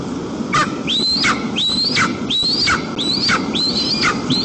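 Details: A family of three white-tailed eagles gathers at the nest in the afternoon of 1 September 2022, Almetyevsk region, Tatarstan, Russia, in windy weather. There are about six high, clear whistles, each climbing and then plunging steeply, in a steady series.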